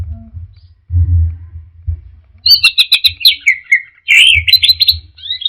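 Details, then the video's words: Orange-headed thrush singing in the teler style: after a quiet start, rapid bright chirps and whistled notes jump between high and mid pitches, with short trills and slurred descending phrases over a steady low thumping beat. "Suara Burung Anis Merah Teler"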